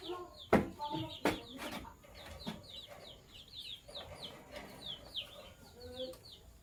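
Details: Sky blue opaline and green opaline lovebirds in the morning give quick, thin, downward-sliding chirps in a busy, uneven stream, with a few louder sharp clicks and knocks early on.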